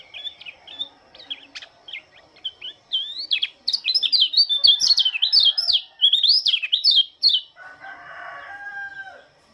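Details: Lombok Oriental white-eye in the early morning: scattered high chips build into a dense, excited twittering warble, followed by a rooster crowing at the end.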